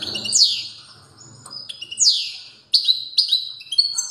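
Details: Strong song of a European goldfinch: sweeping high notes falling in pitch, repeated twice, then a run of clipped bright chirps at the end.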